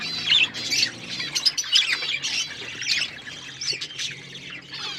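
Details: Several budgies kept as pets give sharp, high chirps and scratchy warbled squawks in quick irregular bursts over a faint low hum.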